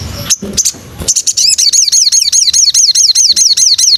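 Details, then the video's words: White-rumped shama, known locally as murai, in material for training birds to sing 'nembak': a few scratchy, broken notes, then a quick, steady burst of piercing high whistles sliding downward, roughly two or three each second. "MATERI BARU BURUNG MURAI dijamin nembak pedas"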